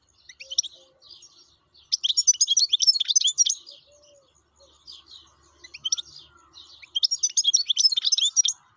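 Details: Wild European goldfinch in lively song, two long runs of rapid tinkling, twittering notes separated by softer chirps, each run lasting over a second.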